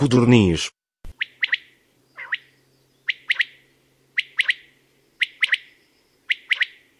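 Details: Common quail song, sudden and loud for a small bird: short three-note phrases, each a quick cluster of sharp pulses, repeated about once a second after a brief burst of voice at the start; otherwise quiet background.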